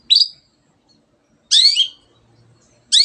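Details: Cendet in energetic gacor song meant to get quiet birds singing: sharp, buzzy chattering bursts with falling streaks, repeated roughly every one and a half seconds, otherwise silent.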